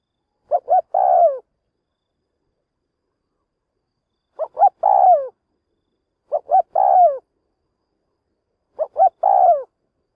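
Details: Spotted dove serving as a trapping decoy to excite wild doves: four repeated phrases at uneven intervals, each opening with two short coos and ending in a drawn-out, downward-bending coo.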